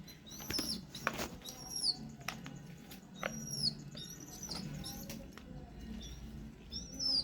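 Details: Pigeon chick begging while its father prepares to feed it by regurgitation: thin, high squeaky whistles, each sliding down at the end, repeated in short bursts with soft wing flutters and a person talking in Bengali.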